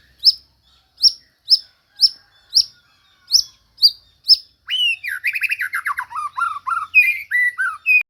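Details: White-rumped shama song: sharp high single notes repeated about every half second, then a fast rich run of warbled, descending whistled notes.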